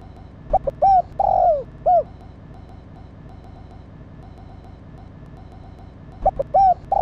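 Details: Spotted dove hen cooing to excite the male, giving one clear phrase of short hollow notes and a drawn-out downslurred coo, then a quieter gap and the start of another phrase near the end.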